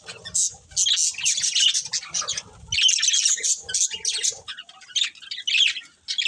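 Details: Budgerigars kept as a pet family, chattering with quick chirps and harsher squawky notes in busy bursts, a brief lull near the middle, then renewed high twittering.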